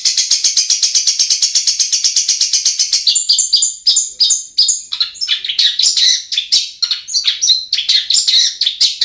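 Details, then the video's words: Long-tailed shrike song used as a lure to get lazy caged birds singing: a fast train of short, even, high chirps at about three a second, then a varied, scratchy, jumbled warble of high notes. "SUARA PANCINGAN BURUNG CENDET"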